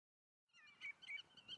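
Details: Common redshank in the Eemland nature area near Eemnes, Netherlands, on 5 April 2014; after a brief silence, three short, clear piping notes with harmonics ring out in quick succession, fairly quiet.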